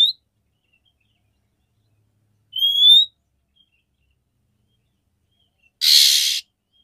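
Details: Calls of a female oriental magpie-robin meant to excite a male for mating: a short rising whistle, then after three seconds a loud scratchy rasp, with long quiet gaps between.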